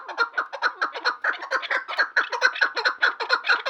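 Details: Rhythmic chukar partridge calling, a fast series of hoarse, clucking notes repeated roughly twice a second, steady and unbroken throughout.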